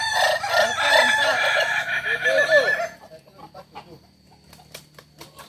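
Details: Kokok Balenggek roosters at a training gathering in Ampang Kualo, Kota Solok: dense, overlapping crowing with chained wavering notes for about three seconds, then quiet with sharp clicks and faint distant sounds.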